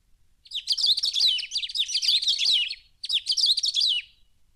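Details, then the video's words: Cerrado bird from Brazil giving a high, bright twittering warble of rapid jumbled notes. A long phrase of over two seconds is followed, after a short pause, by a second burst of about one and a half seconds. "CANTO de AVES do CERRADO BRASILEIRO"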